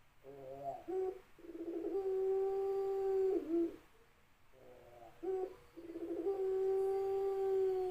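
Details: Ringneck dove cooing twice: each phrase opens with a brief stuttering, rolling lead-in, then settles into a long, steady, low hollow coo lasting about two seconds, ending with a short dip. The two phrases are separated by a pause.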